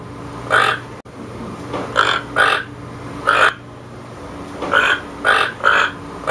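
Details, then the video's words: About nine raspy toucan croaks in an uneven rhythm, some single and some in quick pairs, with a brief gap near the start and a steady background hum. "Toucan sound"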